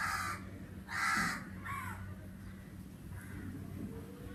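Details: A crow in summer gives three harsh, broad caws in quick succession, the middle one loudest, followed by quieter distant calls over a steady low hum of background noise.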